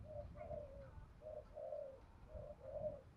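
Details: Spotted dove call used as a lure to train birds for fighting: low, soft coos delivered in three paired phrases, each a short note followed by a longer one, over steady low background noise.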